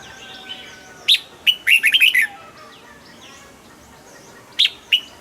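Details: A caged red-whiskered bulbul delivers one quick burst of jaunty whistled notes, rising and dipping, then falls quiet. Near the end come two separate sharp notes, with faint background chirps throughout.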